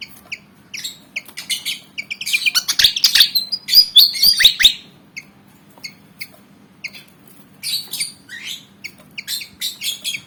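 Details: ['Malaysian pied fantail, a black-and-white bird of about 19 cm eager to fight: scattered chirps building into a dense, harsh, scratchy chatter, then uneven bright chip notes.']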